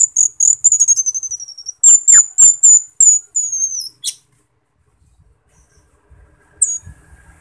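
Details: Loud ringing song of an Asian glossy starling: rapid high whistled notes and buzzy trills in quick series, then a sharp burst and near silence with one last short high note.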